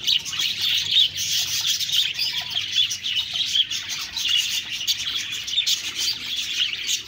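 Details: Chattering budgerigars fill the clip with steady high-pitched twittering and rapid short chirps, evenly dense from start to end.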